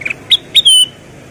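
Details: Sooty-headed bulbul, female, in lively song: two quick sharp notes followed by a clear, sustained downslurred whistle, all within about a second.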